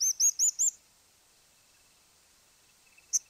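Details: Crowned Slaty Flycatcher (Griseotyrannus aurantioatrocristatus) song: four quick, thin, squeaky high notes, then after a pause a last short squeak or two.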